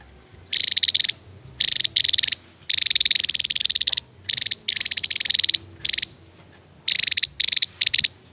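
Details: Javan tesia singing, the song described as its shot or firing phrase: high buzzy trilled bursts repeated in quick runs with short pauses.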